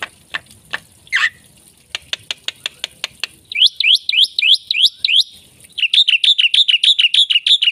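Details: Myna in gacor song with isian fill: sharp ticking clicks at first, a short squeal, then rising whip-like notes, ending in a brisk run of harsh chirps several per second.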